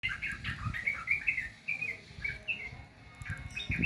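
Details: Sooty-headed bulbul song offered as therapy for a bird that is reluctant to sing: short bubbly whistled notes in quick uneven phrases, with low rumbling background noise.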